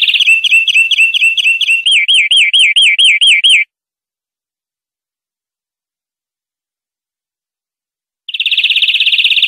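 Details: European greenfinch song from a recording for training greenfinches: a fast run of rolling, ringing trilled notes, then a quavering wavy trill, a pause, and a dry buzzing trill; European greenfinch.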